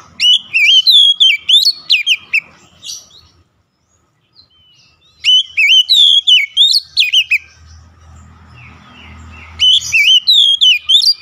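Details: Oriental magpie-robin song meant to revive a stressed kacer: three bursts of fast, ringing whistled notes, each lasting two to three seconds, separated by quiet pauses with faint low rumbling.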